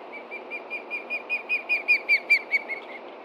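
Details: Osprey adult at a Montana nest, 30 June 2013 around 11:30 AM, alerting to a threat on the ground below. About fourteen sharp, whistled notes come rapidly, roughly five per second, and grow louder toward the middle.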